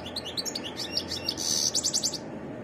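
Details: European goldfinch twittering energetically: a fast string of high chips leading into a brief buzzy trill and crisp repeated notes, ending suddenly, over a low hum.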